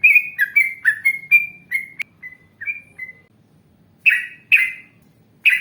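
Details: Yellow-vented bulbul in a lively, vigorous style with long trills and drawn-out phrases: a quick run of clear whistled notes alternating higher and lower, tapering off, then a few loud bright chirps after a short silence.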